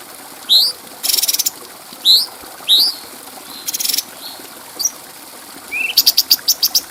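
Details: Bulbul song recorded as a clear tutor track for other birds. Upward-slurred whistles alternate with short harsh buzzy bursts, and a quick string of high ticks closes the clip.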